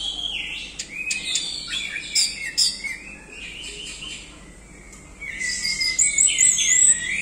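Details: Orange-headed thrush singing 'doyong teler' style, described as gacor: scratchy, sharp chips and high buzzy phrases, a quieter middle stretch, then a loud closing run of high twittering whistles.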